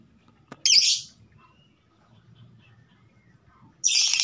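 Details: Female lovebird inviting the male to mate, with two loud harsh high squawks separated by a quiet gap containing faint thin squeaks, over a low background hum.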